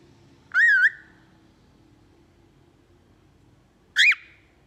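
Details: Cockatiel (Nymphicus hollandicus), call.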